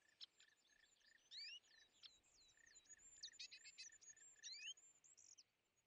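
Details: European greenfinches at winter feeders, where they are among the most aggressive birds, chasing off tits, sparrows and nuthatches; busy high twittering with short rising whistled sweeps and quick clicking notes, several calls overlapping over a faint steady hiss.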